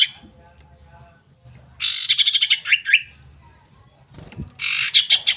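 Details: Calling female common iora, used to draw a male: a dense scratchy rattle of quick buzzy notes with a few slurred chirps, a brief pause, then a second harsh buzzy rattle at the end.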